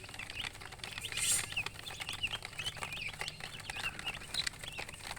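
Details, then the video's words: Chicks chirping with high thin peeps amid a noisy rustling background, with a brief hissing burst near the start. "Baby "Chicks Chirping" Sound"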